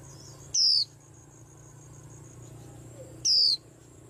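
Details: White-eye sounding off, setting a whole rack of birds astir: two sharp, high descending whistles about three seconds apart over a steady low hum, with a soft faint chirp in between.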